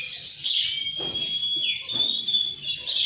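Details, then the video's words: Brief magpie-robin song from a lure recording meant to spur captive birds: a sustained thin whistle running under a dense, hissy warble, with a low rumble in the background. "SUARA PANCINGAN KACER BAHAN. DIJAMIN LANGSUNG GACOR DAN BUKA EKOR"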